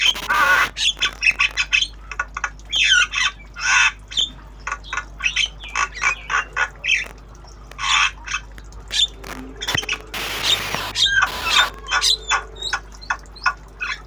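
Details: Javan myna, a tame kept bird learning sounds in obyogan style, delivers a long rapid stream of harsh rasping squawks and chatter, notes packed close together, with a broad noisy burst partway through.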